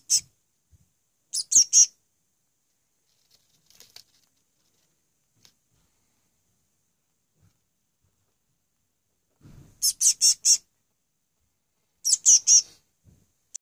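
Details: Hand-reared bird chick at feeding time, day two, 28 May 2015: scattered brief bursts of two to four thin, high-pitched chirps with long quiet gaps and soft rustling and tapping between.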